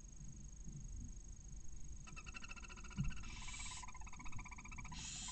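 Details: Barn owl pair in a nest in Cabañeros National Park, Spain, as the male arrives with a mouse and tries to copulate; a rapid stuttering, harmonic twitter runs for about a second, then rough hissing bursts, over nest rustling.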